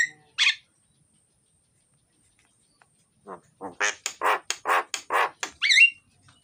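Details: A myna (jalak) sings loudly and busily, used to lure reluctant mynas into song: one short harsh note, a long pause, then a quickening row of grating chattering notes capped by a high rising whistle.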